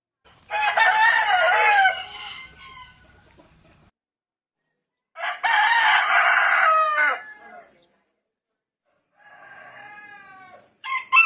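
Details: A rooster that wakes the household in the morning crows twice, two long hoarse cock-a-doodle-doos about five seconds apart, followed by a fainter, thinner crow, with silence between calls.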